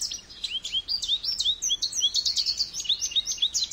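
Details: Goldfinch singing a fast, continuous twittering run of high, rising and falling chirps and liquid notes, tightly packed syllables over nearly four seconds with no other sounds.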